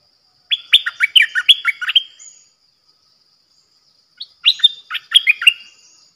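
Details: Bulbul kept as a decoy, recorded 8 May 2021: a burst of fast, chattering whistled notes, then nearly two seconds of silence, then a second similar phrase with sharp descending whistles.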